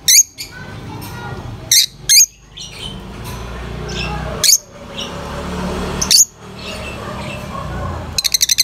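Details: Lovebirds giving sharp, high-pitched chirps, single or paired, spaced a second or two apart over a low background murmur, ending in a rapid burst of fast ticking notes.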